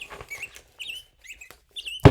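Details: A black-headed grosbeak sings sweet, whistled phrases that rise and fall in short bursts, seemingly random and unstructured, with a loud knock at the end.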